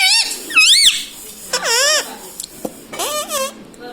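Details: Indoor pet ringneck parrot saying words like mummy and papa: a string of shrill, wavering syllables, two early, one longer around 1.5 to 2 seconds, another near three seconds, with brief clicks between.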